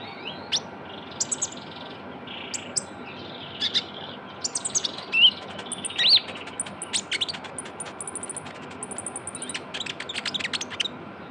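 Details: Young Javan white-eye used as a lure sound, a very vocal bird giving high, sharp chirps and short thin whistles in irregular bursts, roughly one a second, over a steady background hiss.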